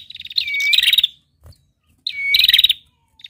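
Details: Red-headed female prinia trilling. Two bouts, each opening with a falling whistled note that leads into a fast, rattling series of high buzzy pulses, with a quiet pause between them.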